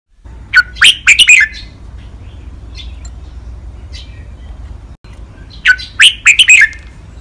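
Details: Red-whiskered bulbul in a cage, training song of five syllables: a loud rich whistled phrase, a few seconds of quiet, then the same bright phrase repeated.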